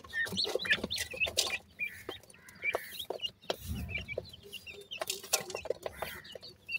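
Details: Grey francolin chicks, called bhura teetar, peeping in short thin high notes, some slurred downward, scattered through dense clicking and tapping with a low rumble near the middle.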